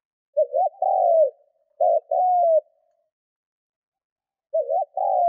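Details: A spotted dove kept as a decoy coos to stir up wild doves. Quick twisting double notes lead into long, level then falling coos, with a pause before the phrase resumes in a clean, quiet setting.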